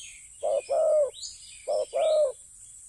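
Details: Spotted dove calling near the ground; two paired coos, each a short note then a longer hollow one, with a steady high insect hiss behind.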